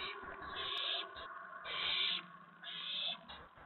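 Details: Owl at a nest during the evening of April 19, 2017, near 8 PM, as the adults bring food to the owlets. Three long, raspy, hissing bursts sound about a second apart, with fainter rasping between them.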